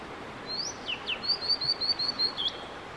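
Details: Blue-and-white flycatcher male in a long song session: a high whistle, two quick downward-slurred notes, then a rapid run of about eight bright repeated whistles ending in a sharp upward flick, with gentle background hiss.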